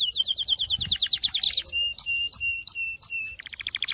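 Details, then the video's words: Syrian canary singing a fast rolling trill of evenly spaced notes that rises into a buzzy flourish. Sharp chips alternate with level whistled notes, then the song ends in another rapid, climbing trill. "تغريد كناري السوري"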